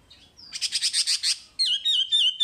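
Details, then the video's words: Wambi song, masteran material: a fast buzzy trill of about eight pulses, then a sustained chain of bright, wavering whistled notes in steady rhythm. "Masteran Wambi paling istimewa full materi"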